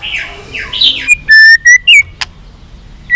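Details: White-rumped shama singing to provoke a rival: soft warbled phrases give way to three loud, flat whistled notes, a sharp click, and a final rising whistle.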